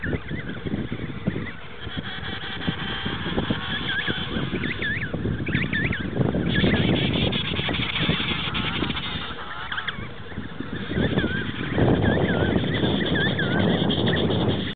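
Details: Emperor penguins at a rookery at Cape Colbeck, Antarctica, recorded in 2008: wavering, harmonic trumpeting calls from several birds overlap, rising and falling, over steady wind-like rumble.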